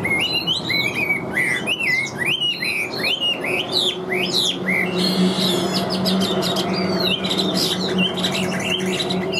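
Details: Captive Chinese hwamei singing with steady power. A series of looping whistled phrases repeats at a quick pace before giving way to busier, rasping chatter, over a constant low hum.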